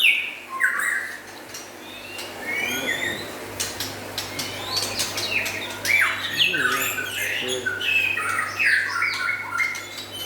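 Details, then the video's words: Local and forest white-rumped shama singing busily: varied chirps, sharp down-sweeps and short warbled phrases crowd together over a low hum, with frequent clicks. "Meriah nya Suara Murai Batu LOKAL Dan Hutan"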